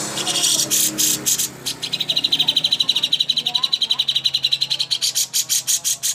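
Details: Greater green leafbird (cucak hijau) training song used to prepare contest birds: rapid, evenly spaced high chirps, about eight a second, in a long steady train that pauses briefly and resumes.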